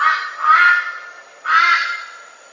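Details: Red-billed Brush-turkey, a large black ground bird of rainforest that is heard more often than seen, gives loud, raucous, harsh notes: two broad grating bursts about a second apart. Nothing else is heard.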